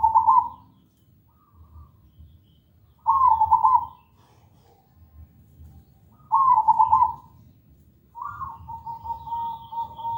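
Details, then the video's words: Zebra dove (perkutut) lure song for training birds to sing clear and melodious: three short, bubbling trilled coo phrases about three seconds apart, ending in a long, steady, even-pitched hoot. "Pancingan suara perkutut gacor"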